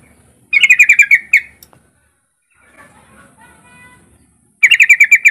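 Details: Yellow-vented bulbul singing, kept as a lure to prompt other bulbuls to sing: bright rapid bursts of about eight chirping notes with a falling tail, repeated after a quiet gap with faint soft twitters between.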